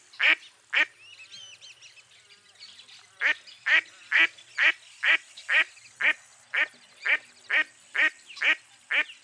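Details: Two loud quacks from a mottled duck, a short lull with faint high whistles in the background, then a steady series of about thirteen evenly paced nasal quacks.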